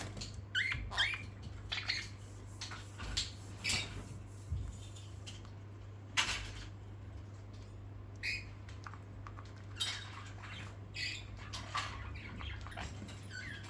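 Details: Parakeets at playtime alongside a sun conure, lorikeet and budgies give short, sharp squeaky chirps and scratchy squawks in irregular bursts over a steady low hum.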